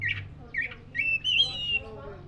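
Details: White-rumped shama, black-breasted form, giving three short raspy notes followed by a long level whistle with harmonics, a low hum underneath.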